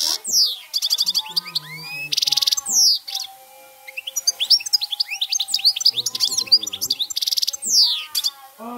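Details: Cante campero song of a European goldfinch: dense, high chattering twitters and quick rattling trills delivered almost without pause, over a faint steady low tone in the background.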